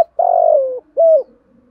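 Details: A decoy spotted dove coos to provoke a rival into cooing back. It gives one long slightly falling coo, then a shorter arched coo, both mid-pitched and clear, with a faint soft tail after.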